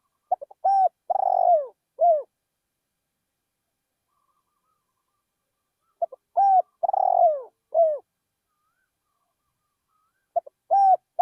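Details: Decoy spotted dove calling in a rice field to attract wild doves. Low cooing phrases come roughly every four to five seconds with long silences between, each made of short notes, a rolling purr and a falling coo.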